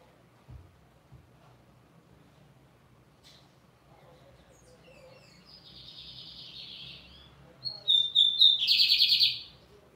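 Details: Soft buzzy phrase midway, then a Lined seedeater bursts into high whistled notes and a loud, rapid, grating rattle near the end; faint thumps earlier.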